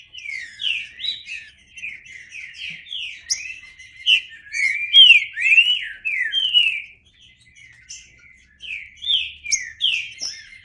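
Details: Green-winged saltator singing a long, continuous string of bright whistled notes, each swooping up or down, rhythm quick and uneven, loudest in the middle stretch, with a brief lull near the end.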